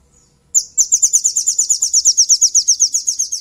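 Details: {'caption': 'Crimson Sunbird (sogon) provoking a rival as a lure: after one sharp chip, a loud, rapid, high, rhythmic chattering trill runs steadily for about three seconds.'}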